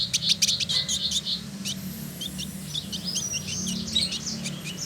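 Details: Male village indigobird, trotol, in Bandung, West Java, Indonesia, singing actively: a fast buzzy chatter of high notes for over a second, then scattered thin chirps and short high notes over a low steady hum.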